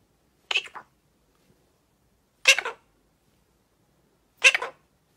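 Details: A pet, free-flying Illiger's macaw gives three short, harsh, raspy squawks, each broken into two or three parts, about every two seconds, in an otherwise quiet room.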